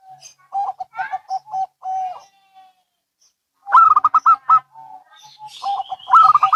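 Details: Local and Bangkok zebra doves calling in reply to each other: a string of short, clipped coos, a silence, then two loud, rapid rolling bursts of gurgling notes.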